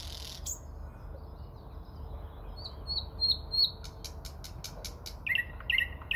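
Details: Nightingale song from the Moscow region, early May: thin high whistles at first, then a burst of dry clicks, ending in a few strong down-slurred notes.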